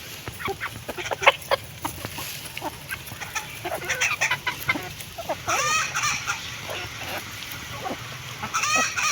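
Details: Feeding hens make irregular sharp clucks, several a second, at first, then two louder curving, drawn-out calls over soft pecking sounds.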